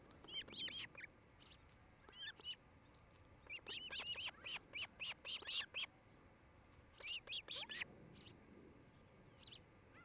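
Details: Osprey at the Charlo, Montana nest cam on 07-08-2018, late afternoon: moderately loud, high whistled chirps, grouped in quick runs of five or six with short pauses, over a hissy background.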